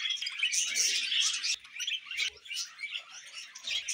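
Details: Budgies warbling and chirping rapidly, with a loud squeaky burst near the start and quieter dips as sharp tweets repeat about three times a second, plus soft low rustles.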